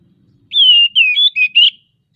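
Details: Magpie-robin song meant to prompt other caged birds to sing, bird in breeding condition: one bright whistled phrase of four parts, a long gliding note then quick twisting notes, very clean.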